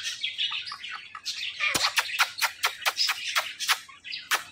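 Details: Pet talking parrot producing a rapid run of sharp, harsh chirps and squawky clicks, about ten bursts in under three seconds, after softer scratchy chattering.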